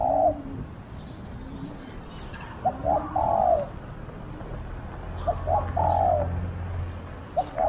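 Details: Spotted dove serving as a decoy to attract wild doves, repeating a phrase of two short lead-in notes and a longer falling coo, with low rumbling background and faint bird chirps.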